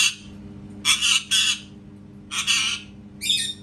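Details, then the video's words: Pet parrot giving loud, harsh, raspy squawks, mostly in pairs, about four bursts within a few seconds, over a steady low indoor hum. "PARROT MAKING CAT SOUNDS"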